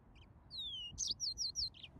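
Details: Yellow-fronted canary (Serinus mozambicus) giving a long descending whistle followed by four or five sharp, high, downslurred chirps in quick succession.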